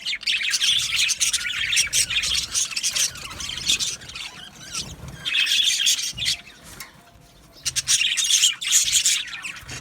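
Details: Aviary colony of Australian budgies: waves of dense, high chattering warble with many overlapping chirps, separated by a short quieter pause before the chorus swells again.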